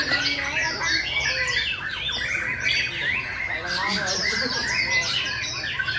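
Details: A singing competition of white-rumped shamas in the 2020 breeding season, May: busy, loud whistled song with quick descending slurs and chattering bursts, several birds sounding together and a faint voice in the background.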